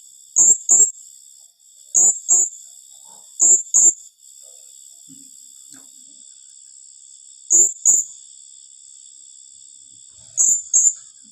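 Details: Blue-crowned hanging parrot giving a rapid 'tembakan rapat' call: sharp, very high squeaky notes in quick pairs, the pairs repeated at irregular gaps of one to three seconds over a steady high background hiss.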